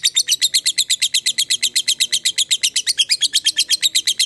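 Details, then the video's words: Rapid ngekek of a lovebird, played as a lure to provoke other fighter lovebirds to answer: an unbroken run of shrill, evenly spaced chips, roughly six each second. "Dengarkan Suara Lovebird ini dijamin ikutan Nyaut Ngekek,Pancingan Lovebird Fighter"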